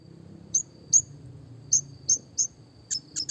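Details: Red siskin from a classic training recording for small songbirds: isolated sharp high chips spaced about every half second, ending in a few quick faint clicks over low background hum.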